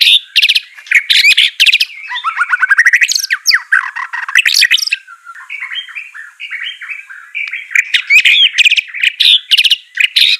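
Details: Singing white-rumped shama, used to coax a silent bird into song: bursts of harsh, buzzy notes alternate with rich warbled runs and lower whistled phrases.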